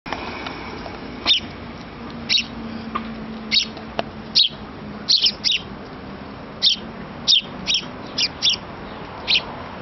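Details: A young sparrow chick begs its parents for food while a parent feeds it: short, high chirps in brief bursts, repeated irregularly about once a second, over a quiet background.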